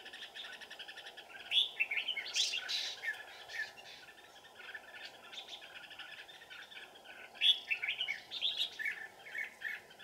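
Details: Red-whiskered bulbul used as a decoy to lure wild birds to a trap, deep in the mountains on a cold afternoon, 15 December 2018; bright warbled phrases in bursts over a constant high insect hiss.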